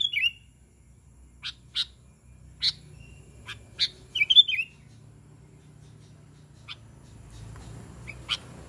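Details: Sooty-headed bulbul calling other bulbuls: a liquid burbling note opens, then scattered sharp chirps about a second apart, a bubbly warbled phrase near the middle, and a few more isolated chirps against quiet background hum.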